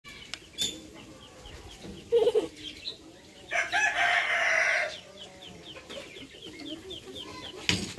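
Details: Rooster crowing in the morning: one loud, harsh drawn-out crow lasting over a second, preceded by a short shrill note, over a background of many small birds chirping and twittering.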